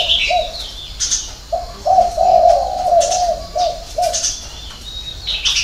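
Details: Spotted dove cooing in the six-note style with a three-note ending (hậu 3): several short low notes lead into a long, drawn coo, then more brief coos follow. High chirping birds and clicks are heard behind.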